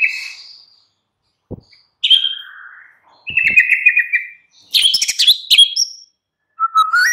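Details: Shama lure song for the afternoon, meant to set a captive bird singing: a high whistle, a ringing note dropping lower, a fast buzzy trill, a burst of crackling chatter, then a rising low whistle.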